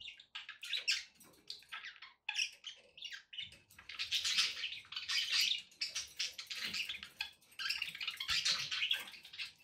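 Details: Several pet budgerigars chatter almost without pause, a dense wash of buzzy, scratchy warbles and squeaky chirps that swells and fades, with low background noise underneath.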